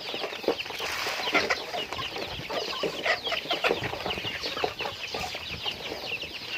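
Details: Chickens in daily activity, with overlapping high-pitched peeps and scattered sharper clucks, punctuated by a few louder calls standing out around the first and third seconds.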